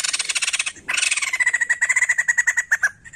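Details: White-crested laughingthrush singing to stimulate other songbirds. A dense, fast rattling chatter breaks briefly, then returns as evenly pulsed, slightly ringing notes that slow toward the end.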